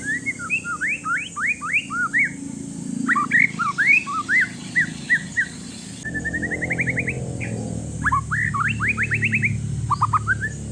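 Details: Noisy Aceh forest-lineage white-rumped shama, a one-year-old male meant to stir other shamas into song, pours out varied sharp upswept whistles and quick note bursts, with a steady faint low rumble underneath.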